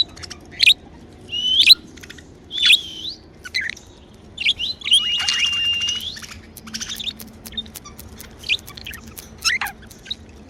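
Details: Happy pet budgerigars chirping: sharp rising chirps about once a second, then a longer drawn-out warbled note near the middle, followed by softer scattered chirps over a quiet room background.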